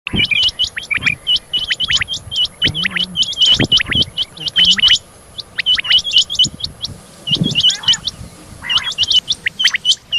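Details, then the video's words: Female rain quail calling in the morning: a dense, rapid stream of sharp, high, hooked chirps repeating several times per second, with overlapping notes, brief pauses and faint low rustling beneath. "new batair rain quail sound female rain quail new subah ki awaaz"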